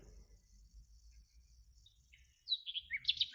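A Common Nightingale gives a short burst of loud, pure whistled notes, with one slurring downward and then a bright run high in pitch, after near-silence.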